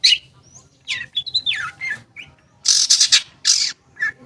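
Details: Long-tailed shrike singing, from a lure recording to get silent shrikes singing: sliding whistled notes and a descending slur, followed by loud harsh rasping bursts with gaps between.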